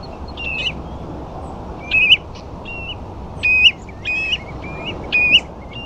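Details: On the Ferrybridge sandflats at Portland, a flock of ringed plovers mixed with a few dunlin gives clear, mellow rising two-part whistles, several overlapping in quick succession about every second, against a constant background roar of wind and water.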